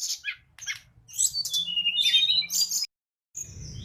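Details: Spirited song of the mangrove blue flycatcher (tledekan bakau), recorded for tutoring: short high chirps, then a run of squeaky warbled notes and bright whistles, ending abruptly in a brief silence and soft rumble.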